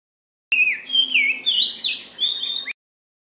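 A magpie sings a two-second run of high, varied whistled warbles, sliding up and down without pause. Nothing else is heard.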